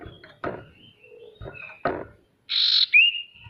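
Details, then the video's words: One phrase from a male sirtu, played to get lazy birds singing: a harsh buzzy burst that turns into a rising then level whistle, after a few soft clicks and knocks. "Suara sirtu untuk memancing burung pemalas bunyi agar bisa rajin mau bunyi"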